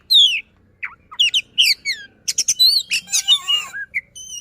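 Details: White-rumped shama, a kept songbird, singing a fast, dense song of clear rising and falling whistles mixed with sharp buzzy notes and rapid chattering bursts, the phrases tightly packed with short pauses.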